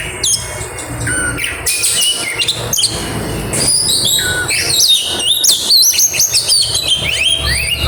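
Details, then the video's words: Kacer, the oriental magpie-robin, in grabakan song with isian: rapid strings of high whistles and scratchy chatter, many upward-sweeping notes, continuous energetic delivery, faint low background rumble. "burung kacer grabakan keluar isian"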